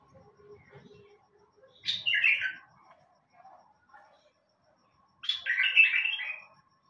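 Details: Bulbul singing: two bright, warbled phrases a few seconds apart, each a quick tumbling run of chattering notes, with a faint lower twittering and soft rustling between phrases.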